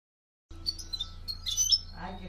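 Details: European goldfinch song, bright tinkling twitters in quick high bursts over a low steady hum, with a brief lower murmur at the end; recorded in Greece in 2013.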